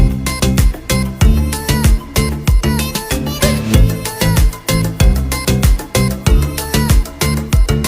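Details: Loud rhythmic Latin-style music with guitar and strong repeating beats; no animal voice.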